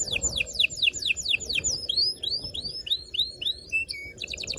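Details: Canary singing to stimulate males and females toward mating. Repeated down-sweeping whistles flow into arched, swooping notes with a few brief steady tones, over faint background noise.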